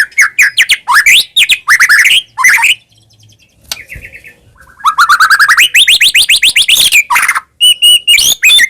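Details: Medan white-rumped shama singing a full, varied song meant to provoke caged birds into answering: quick clusters of rising whistled notes, a short quiet gap with a thin buzzy phrase, then a long fast rising trill and high pure tones.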